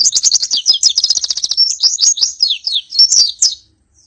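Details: Pleci (Oriental white-eye) pouring out rapid, high, sibilant twitters as a training recording, a fast chattering run of notes for over three seconds before ending in silence.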